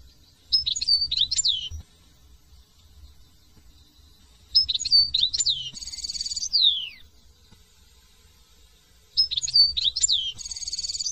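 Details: European goldfinch from France singing in three bursts of liquid, high twittering notes, each mixed with a buzzy trill and a falling slurred note, separated by gaps of a few seconds.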